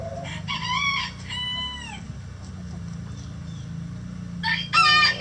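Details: Chickens from a mixed flock of egg-laying breeds inside their coop give harmonic, slightly rising then falling calls near the start, followed by quiet, then a loud burst of harsh squawks at the end over a low steady hum.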